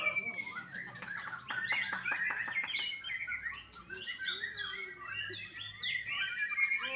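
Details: Young white-rumped shama kept at a bird farm in Bali. A rapid series of short clicking notes opens into a jumble of high downward-sweeping chips and brief whistles, dense and restless, with a faint room background.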